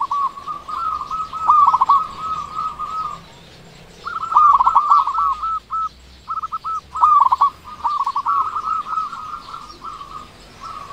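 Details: Chatty local zebra dove with a loud voice, used as a lure to excite quiet doves. Long bursts of rapid, rolling, trilled coos repeat in phrases of one to three seconds, separated by short gaps, over a low background hum.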